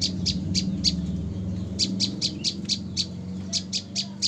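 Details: Recently caught female olive-backed tailorbird, three days in captivity, giving runs of sharp, high chip notes at an even quick pace, with a low droning hum behind.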